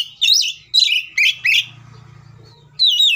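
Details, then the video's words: Oriental magpie-robin (kacer) singing an agitated fighting song meant to provoke other magpie-robins: four loud whistled, swooping phrases, then a quiet pause with a low hum, and a final rising-falling whistle. "KACER GACOR NGEPLONG NGOTOT TARUNG FULL ISIN❗AMPUH BUAT PANCINGAN KACER AGAR BUNYI SEKETIKA EMOSI!"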